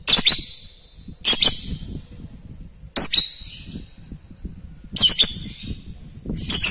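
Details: Lovebird sound meant to get other lovebirds to reply and chatter along: loud, harsh, high squawking bursts arriving roughly every one and a half to two seconds, with quieter rustling between them.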